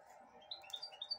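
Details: Brief burst of four or five high, clipped chirps from a 2022 goldfinch hybrid taking broccoli from a hand, with murmured Spanish speech underneath.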